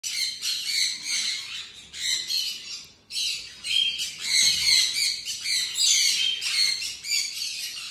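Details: A hand-fed red-collared lorikeet chick in Delhi gives harsh, raspy, high screeches in near-continuous bursts, with one brief pause, and no other sounds.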